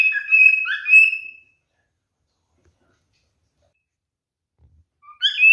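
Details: Male cockatiel whistling as part of mating behaviour: a short phrase of slurred and sustained whistles, several seconds of quiet, then another whistled phrase starting.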